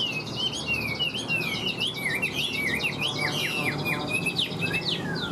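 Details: Newly arrived wild-caught male Chinese hwamei, caged in northern Vietnam on a day when rain is coming, singing boldly: a rapid run of varied whistled slurs, rising and falling notes tumbling one after another, over a low indoor hum.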